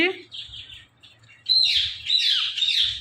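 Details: Ringneck parrot at home giving hoarse, high-pitched speech-like chatter and squeaky calls in two bursts after a quieter rasping phrase, with low background hum.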